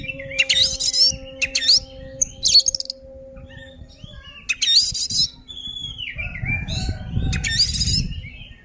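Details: Oriental magpie-robin fighting song used to rile other birds: harsh rasping bursts alternating with sweet whistled slurs and a long descending whistle, over a low hum and rumbling noise.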